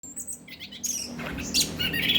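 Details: Orange-headed thrush, known locally as anis kembang, singing a varied run of high whistled and chattering phrases that swell louder toward the end, with a faint low hum underneath.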